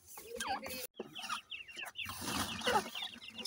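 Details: Francolin calling, from a comparison of male and female voices: a run of short, clucking notes that slur downward, given in quick clusters over a background of rustling noise.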